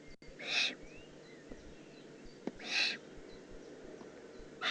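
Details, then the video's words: A juvenile Eurasian eagle-owl in the Eifel on 18 June 2016 repeats a rough, hissing screech about every two seconds, with a third call starting at the end. Faint thin chirps sound between the calls. "Eifel Uhu Junior3"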